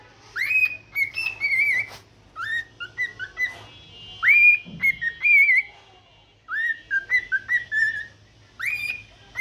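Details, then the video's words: Morning song of a pet cockatiel: a run of clear whistles and warbled notes, many swooping upward then wavering, in short bursts, with a brief low thump near the middle and a pause before the phrases resume. "cute bird sing unlimited song for morning refreshments"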